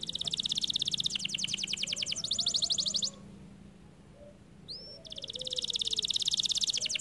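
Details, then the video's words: Kenari gacor canary giving a fast, dense rattling trill for about three seconds, a short quiet gap with a single rising whistle, then the rapid trill resuming. "The canary sings beautifully"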